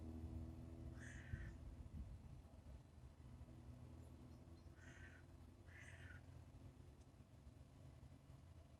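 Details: A titmouse at a bird feeder gives three short, harsh, nasal calls, one early and a close pair later, over a steady low rumble of background noise.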